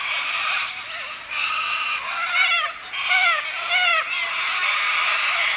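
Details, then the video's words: Thousands of little corellas at a big bridge near a small fishing town: harsh, overlapping screeches and grating squawks from many birds calling at once, continuous and unrelenting. "i'm sure you can hear and see all the cockatoos around me it's so good"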